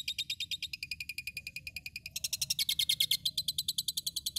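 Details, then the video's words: Asian pied starling from Tulungagung, East Java, chatters in a fast, steady run of high, scratchy notes, about seven a second, turning brighter and sharper halfway through, mimicking lovebird and cililin. "Jalak suren gila ngablak mutah lovebird dan cililin"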